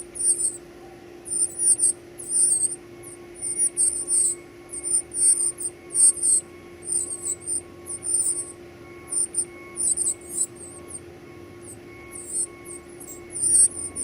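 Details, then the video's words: Young birds begging during feeding, producing piercing high squeaky notes in short bursts roughly every half second, with a faint tone and steady hum behind. "feeding baby birds"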